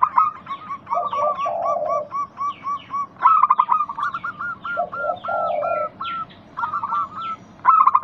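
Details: Local zebra dove song meant to make other doves reply: repeated phrases of quick even notes with low purring coos, loud stuttering bursts, and small birds chirping throughout.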